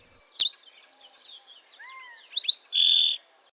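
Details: Black-throated Sparrow singing in an Arizona desert backyard in spring: a couple of high, clear musical notes, a quick tinkling trill, then a few more sweet notes and a buzzy trill at the end.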